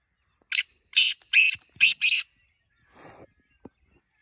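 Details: Black francolin call used as a calling formula for kept kala teetar: five loud, scratchy bursts, the last two paired, trailing into a soft low rasp and a faint click.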